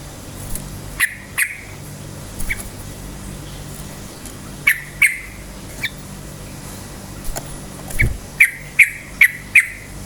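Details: Rapid 'cukcuk'-style yellow-vented bulbul song used to provoke other bulbuls; short, sharp paired chips spaced irregularly, then a quicker run of four notes near the end, with a low background hum.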